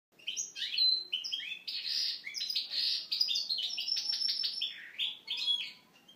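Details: Caged domestic canary in the Moknine style, trained on goldfinch song, giving a varied song: fast, continuous run of bright twittering trills, buzzy notes and sharp chips, each phrase changing quickly without pause.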